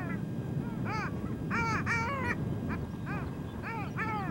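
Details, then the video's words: Male long-tailed duck on a small tundra pond near One-Eyed Jack Lake, Victoria Island, Nunavut, in spring after migration; loud arched nasal yodelling notes, rising then falling, given in quick doubled and tripled bursts over steady low wind noise. "Male Long-tailed duck on Victoria Island, Nunavut"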